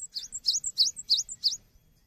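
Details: Java sparrow song for training songbirds: a rapid series of high, bright chirps with sharp downward-upward inflections, about six notes in a run lasting a second and a half, then quiet.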